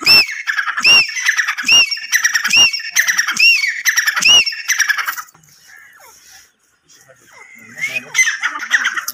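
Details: Grey francolin, or teetar, sounding harsh, ringing, high notes in a steady series of about seven calls. They break off mid-clip into quiet background, then a few fainter call notes return near the end.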